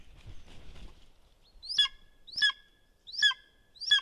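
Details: Golden eagle calling on 17 April 2021 during the second visit of the day: four loud, harsh notes, each dropping sharply from high to lower pitch with a rough, layered tone, spaced under a second apart after a soft rustle.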